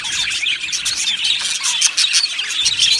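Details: Budgie colony kept in an aviary, a crowd of birds chattering at once: busy high warbling and scratchy chirps layered thickly, with louder sharp squawks breaking through every fraction of a second.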